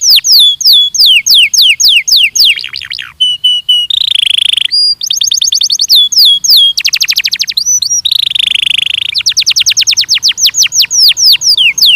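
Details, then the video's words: Training song of a Belgian canary: long varied phrases of fast downswept trills alternate with dense buzzy rolls and short flat whistles, running almost without pause for twelve seconds. "ESPETACULAR canário belga,,! 30 MINUTOS DE TREINAMENTO DE BELGIUM CANARY VOCÊ VAI CANTAR MUITO"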